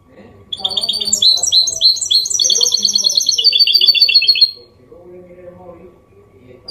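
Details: Goldfinch hybrid (mule) singing a clean song in the copia Málaga style, kept to stimulate males to sing and teach chicks: fast high twittering phrases of repeated trills lasting about four seconds, over faint low background sounds.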